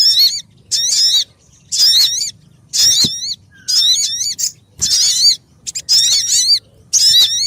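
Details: Sogon bird calls used as a trapping lure: loud, ringing phrases of rapidly wavering high notes with stacked overtones, delivered in bursts of about half a second separated by brief pauses, with low background hum.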